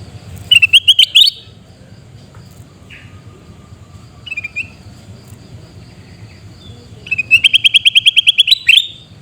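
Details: A sooty-headed bulbul in Reului, Pidie, Aceh, Indonesia, calls in piercing rattles: a short fast run of notes, a few softer calls, then a long, even rattle of about fifteen sharp notes ending in a rising squeal.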